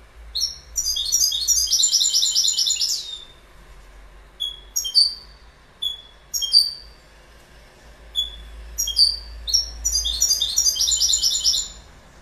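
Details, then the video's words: Goldfinch singing: a long jangling twitter phrase, then several scattered, thin, downslurred call notes spaced a second or more apart, followed by another fast tinkling burst near the end. "Goldfinch Bird Sound"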